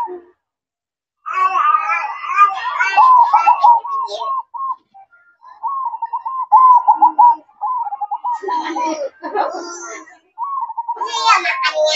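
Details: At night, a zebra dove delivers its manggung song, a series of soft, rapidly rolling coo phrases. Loud, harmonic-rich calls from other sources overlap at the start and the end.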